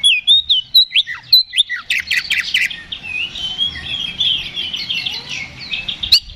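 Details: Oriental magpie-robin song to stir another bird into fighting: clear whistled phrases at first, then a dense, fast stream of scratchy, buzzy warbling with whistles mixed in.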